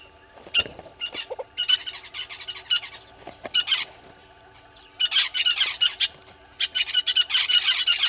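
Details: At Gowrie dam waterhole, Djuma Game Reserve, South Africa, 06:08 on 20 March 2022, red-billed hornbills keep up loud, rapid clucking chatter in repeated bursts that grow denser and louder toward the end, with a few sharp clicks.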